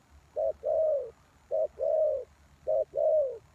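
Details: Spotted dove used as a lure for wild doves, giving three two-part coos: a short clipped note, then a longer, slightly falling, hoarse coo, repeated about every 1.1 seconds with a low background hum.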